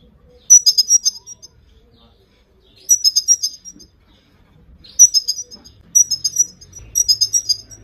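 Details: Female Himalayan goldfinch calling to stimulate and motivate males to sing: bursts of bright, high, rapid twittering chirps lasting under a second, given five times over about eight seconds, with near silence between bursts.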